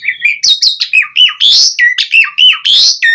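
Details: Asian pied starling (jalak suren) in lively 'gacor' full-isian song, used as a lure recording: rapid chains of clear whistles, buzzy slurs and chattering notes, rising and falling in short segments with almost no pause.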